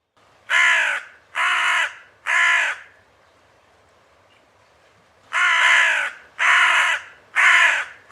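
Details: A Hooded Crow gives harsh, rasping caws: three in quick succession, a pause, then four more at about one per second.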